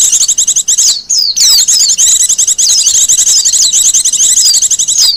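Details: Wild Japanese white-eye song, used as a lure and master song: rapid high twittering trills with quick downslurred whistles, bursts lasting about a second separated by brief pauses.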